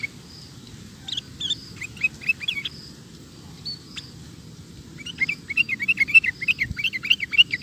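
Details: Sooty-headed bulbul chattering in a recording for training caged birds: a soft opening of scattered slurred chirps, a quieter gap, then a steady fast run of bouncy rising and falling notes, with a brief thump and constant low hum.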